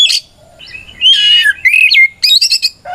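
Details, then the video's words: White-rumped shama singing to provoke another shama into responding; a short mix of a sharp note, a soft low whistle, a long wavering whistled phrase, then quick chattering notes. "Suara Burung kacer gacor NGEPLONG tarung ini paling ampuh buat PANCINGAN KACER agar EMOSI Nyaut"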